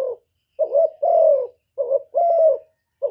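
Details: Spotted dove in thổ-style crowing aimed at stirring up wild rivals. Two full phrases are heard, each a quick double coo followed by a longer, slightly descending hoarse note, in quiet.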